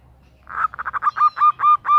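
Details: A female zebra dove calls the male with a short phrase: blurred rapid notes quicken into clearer, ringing coos at intervals of about a fifth of a second.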